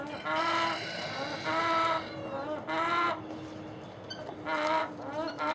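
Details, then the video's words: Domestic hen making a weird noise whose cause is unknown, four long nasal, harmonic calls about a second each at irregular intervals, with a faint steady low hum and a click near the end. "HELP Chicken making WEIRD Sound WHY"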